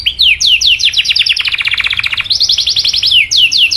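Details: Canary song intended to get other canaries singing: looping whistled chirps, a fast trilled roll of stacked notes, then further arched chirps in quick succession.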